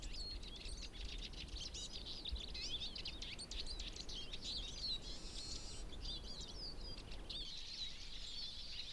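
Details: A spring flock of Eurasian siskins in alder/birch forest, Berezinsky Biosphere Reserve, Belarus, gives a busy stream of thin, high twittering "chi-jik" flight calls from several birds at once, over a steady low wind rumble.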